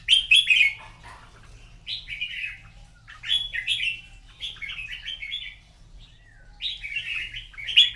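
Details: Red-whiskered bulbul competing in a morning singing contest, delivering a series of clear, bubbling warbled phrases, each a quick cluster of rising and falling whistled notes, repeated at intervals of one to two seconds.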